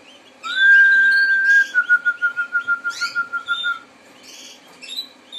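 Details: Harz Roller canary singing: a smooth sustained low roll that shifts into a pulsed, bubbling tour lasting about three seconds, while other canaries add brief high chirps and twitters in the background.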